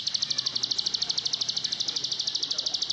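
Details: A plain prinia (Prinia inornata) gives a fast, high, buzzy reeling trill of evenly spaced notes, about twelve a second, running without a break. Faint background noise lies beneath.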